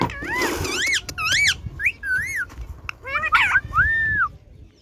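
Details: Pet Indian ringneck parakeet imitating speech in a fast string of wavering, looping whistled syllables and short arched notes, some harsh and buzzy, with faint room noise.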